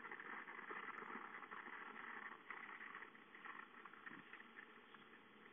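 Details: A vehicle engine idles with a steady hum and a faint voice now and then.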